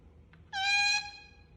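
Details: An angry pet Indian ringneck parakeet, kept as a talking parrot, gives one drawn-out nasal squawk lasting about half a second, rich in harmonics, indoors.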